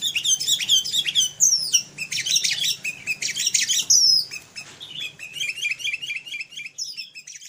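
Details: Tame sooty-headed bulbul, kept since young, delivering a busy stream of sharp chirps and quick twittering phrases, some higher whistled slurs, then a repeated rhythmic run of short notes.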